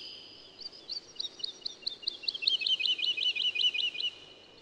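A woodlark sings a liquid, high-pitched run of repeated notes that speeds up into a rapid, slightly falling trill over about four seconds; faint background hiss.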